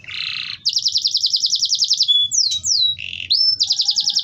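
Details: Canary song used to prompt silent canaries to join in singing, opening with a buzzy burst, then a fast even trill of rapid high notes, two sweeping downslurs, a lower buzzy phrase, and another quick trill.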